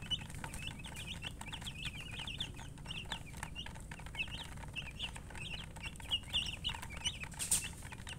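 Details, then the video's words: Baby chicks chirping continuously, dense overlapping high peeps, each a short downward slide, steady throughout with a low hum and occasional sharp clicks. "Witty MURGI Baby "Chicks Chirping""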